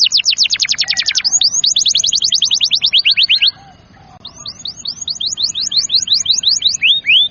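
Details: Canary in energetic song, aimed at making young and lazy canaries sing: a long rapid trill that gradually slows, a short pause, then spaced hooked whistled notes.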